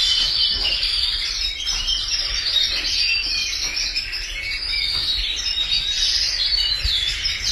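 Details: Several canaries in full song: unbroken, bright warbling trills and twittering chirps pour out at a steady loudness for the whole stretch, with no other clear sounds.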